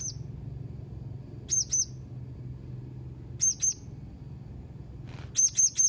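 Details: Blue-crowned hanging parrot, dated 31 March 2021, giving quick double shrill chirps in three bursts roughly two seconds apart, with a brief soft rustle before the last.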